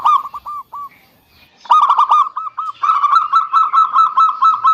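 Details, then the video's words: Zebra dove song played as a lure to get silent doves singing. A few separate hollow coos, then a fast stuttering burst, followed by a steady string of bright, rapidly repeated cooing notes about twice per second. "Terapi Perkutut MaLas Bunyi_Rutinkan Pancingan Ini Pagi Siang Sore"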